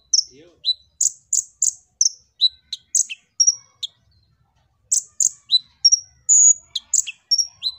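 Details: Lure song of a kolibri ninja (Van Hasselt's sunbird) for prompting caged birds: bursts of shrill chirps and thin whistles, a brief pause midway, then a renewed rapid sequence of high notes.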